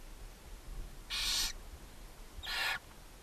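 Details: At a barn owl nest box beside a chimney in Ságvár, Hungary, May 4, 2024, the mother owl feeds seven owlets on a nest cam. Two rough, breathy hisses about a second apart, each near a third of a second.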